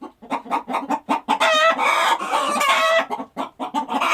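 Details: Chickens at a farm clucking: quick low clucks at the start and end, with a sustained, loud stretch of overlapping squawking cackles in the middle.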